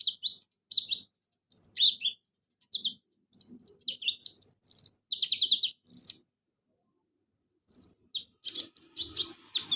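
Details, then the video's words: Kolibri ninja sunbird song used to stimulate a caged bird that will not sing: bursts of sharp, high twittering chirps and quick rising squeaks in irregular phrases separated by short pauses, clean with no background noise. "KONIN TERAPI konin malas bunyi Insya Alloh cepat ikut bunyi"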